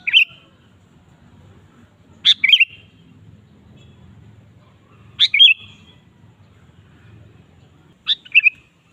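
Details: Sooty-headed bulbul, a lure recording to provoke a kept bulbul into singing: short bright phrases of two or three quick notes falling from high to mid pitch, repeated about every three seconds over faint low background hum.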